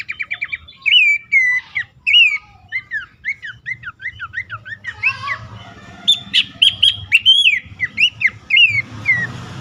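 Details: Bush warbler call played to stressed or silent caged birds. Quick ticks lead into looping whistles and a long string of sharp up-and-down notes, followed by louder bright bursts and a final slurred whistle over light noise.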